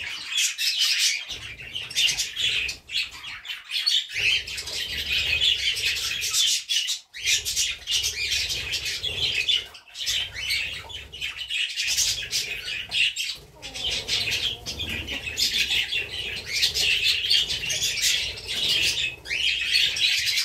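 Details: Happy pet budgerigars chattering steadily with bright, scratchy warbles and quick chirps.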